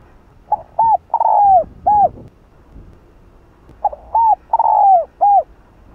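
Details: Cooing of a spotted dove, 'hạp bổi' style, played to rouse other domestic doves: two matching phrases about three seconds apart, each a quick clipped note, an arched coo, a long sliding slurred coo and a closing arched coo, over quiet background hiss.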